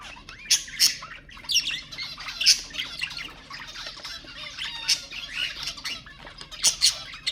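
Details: Budgerigars warbling to stimulate budgies: continuous scratchy chatter with frequent sharp squawks, rising and falling chirps and clicking notes over several seconds.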